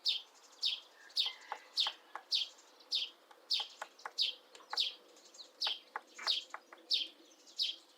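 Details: Mid-April nest building by a female Syrian woodpecker chiselling into an old apple tree: clusters of crisp wooden knocks, uneven in spacing, mixed with rapid, high, descending chirps repeated nearly twice a second in the background.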